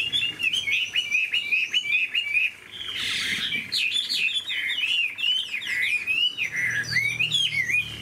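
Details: Caged Chinese hwamei, a large-bodied bird described as having a fine voice, sings a rich, continuous warble of fast slurred whistles that rise and fall. There is a brief louder burst near three seconds, and faint low room noise underneath.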